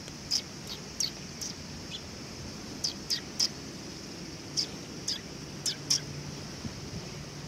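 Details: Sparrows coming to be fed at a Tenmangu shrine in Japan on 18 August 2020; scattered short, high chirps, single or in quick pairs, about a dozen across the stretch over a low steady outdoor hum.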